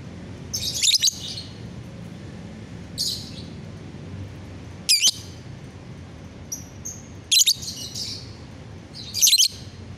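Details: Caged lovebird singing on a bright morning, 30 November 2021, in rapid high chattering bursts about every two seconds, each burst short and buzzy with sharp chirps, over a steady low hum.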